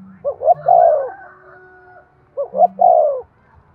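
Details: Two loud phrases from a spotted dove, coo played to stimulate breeding; each opens with two clipped notes, then a sustained falling coo, over a faint low hum.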